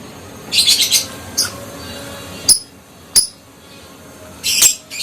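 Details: Adult fighter lovebird making ngekek sounds used to provoke other lovebirds into answering: a cluster of rapid high chirps, then isolated sharp upswept chirps a second or so apart, over a low steady background hum.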